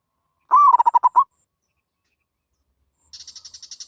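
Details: Zebra dove utters one quick rippling series of soft coos, then a higher, rapid buzzy pulsing from another source follows.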